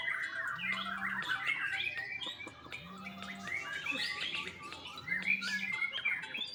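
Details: A young white-rumped shama from a Bali bird farm sings a dense, chattering medley of twittered phrases and clear whistles, while a low humming drone switches on and off roughly every two seconds underneath.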